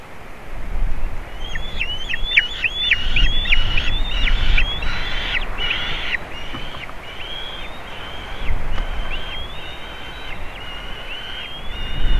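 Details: Juvenile white-tailed eagle visiting eaglets at a nest in Latvia, 27 June 2019; a long series of high, thin yelping calls, dense at first then spaced out, over low rumbling background noise.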